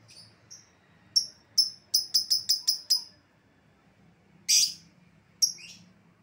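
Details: Lovebird lure sound for an escaped bird: thin high chirps give way to a rapid burst of six shrill notes, followed by a loud rasping screech and one last sharp chirp.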